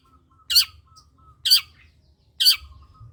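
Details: Long-tailed shrike lure sound for stirring quiet cendet into song: three rasping, noisy bursts about a second apart, with faint thin whistles between them and a soft low hum.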